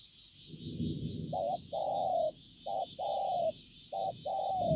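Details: Spotted dove kept as a decoy bird, recorded 5 September 2020, coos in short-then-long paired notes, each pair about a second apart, three pairs in a row, over a steady high insect-like hiss and low rumble.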